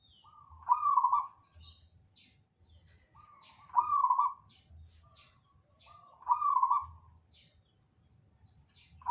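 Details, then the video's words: ['Zebra dove, locally perkutut, singing eagerly as other birds join in: three bubbling, stuttered coo phrases about every two and a half seconds, with thin high chirps from other birds between them.'] "KICAU BURUNG PERKUTUT GACORANNYA BUKAN MAIN"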